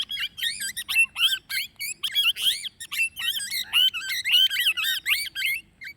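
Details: Plum-headed parakeet chattering continuously with rapid, shrill, squeaky notes that bend up and down in pitch, packed closely together for the whole stretch.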